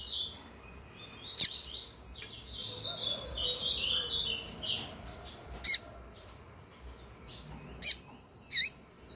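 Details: Female Double-collared Seedeater calling to stir up males: four short, high, sharp chips, the last two close together, after a softer, rambling high twitter early on.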